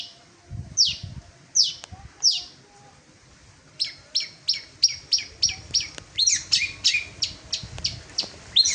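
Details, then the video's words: Long-tailed shrike (cendet) singing actively: a few spaced, sharp downslurred notes, then a fast run of similar high, clipped notes that speeds up and grows busier, over low rumbling background noise. "burung cendet gacor"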